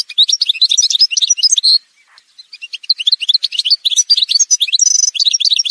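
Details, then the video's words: Algerian goldfinch singing in a montage: quick twittering phrase ending on a held note, a brief gap, then a long varied run of bright twitters and buzzy trills. "chant chardonneret montage"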